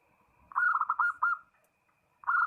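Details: Zebra dove calling a rival: a short rattling series of bright cooing notes fading out, followed after a gap by the start of another fast run.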